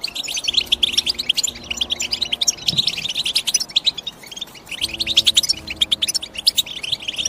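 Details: Bursts of high, liquid twittering from European goldfinch, chirps in quick clusters with a short lull near the middle, over a faint low humming tone.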